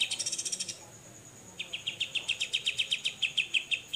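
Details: Besetan song of the grey-cheeked bulbul, recorded to train songbirds: a short fast rattle, a pause, then a long even series of sharp, ringing notes about four per second over a steady high tone.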